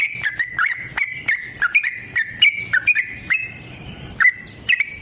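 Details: Sooty-headed bulbul giving a long fighting song meant to prompt other bulbuls to answer, a steady series of clipped whistled notes that slur downward, roughly two to three a second, thinning out toward the end.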